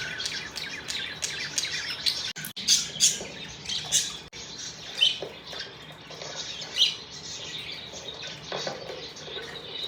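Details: Happy pet budgerigars chattering: a dense, continuous stream of high, scratchy chirps and short warbled notes, with several sharper tweets standing out above the steady chatter.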